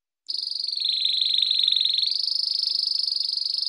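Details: Canary training song for young and adult domestic and Belgian birds: a long, high, rapidly pulsing roll that dips slightly in pitch, then rises and holds steady.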